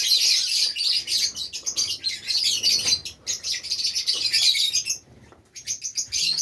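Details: A group of Fischer's lovebirds kept in Safi, Morocco, twitters rapidly, about four sharp high chirps a second, in long overlapping bursts before a short silence and a final flurry.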